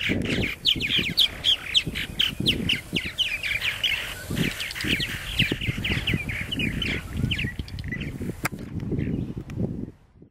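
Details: Several purple martins at their nesting gourds at Lake Mackintosh, Gibsonville, North Carolina, give a steady stream of rich, throaty gurgling and chirping calls, with low rumbling background noise.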